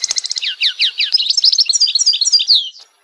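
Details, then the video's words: An Algerian European goldfinch sings a fast, tinkling twitter of high liquid notes and trills that runs without pause for about three seconds. "Le plus beau chant du chardonneret"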